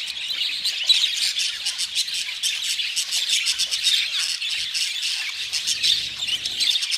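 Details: A group of budgerigars warbles and chirps in quick, rhythmic bursts of sharp clicks and squeaky notes, a lively continuous chatter with a faint low hum near the end.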